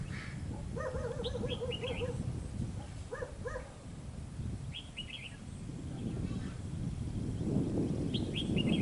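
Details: Red-whiskered bulbul, an escaped bird, giving wavering harmonic notes followed by quick bursts of high, rapid chirped trills repeated at intervals over low background noise.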